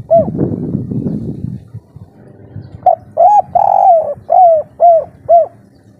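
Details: Local Indonesian spotted dove in breeding condition, calling loudly in the three-note 'kuk 3' style: low rumbling bursts first, then a series of rounded, hollow coos, some drawn out, repeated about twice a second.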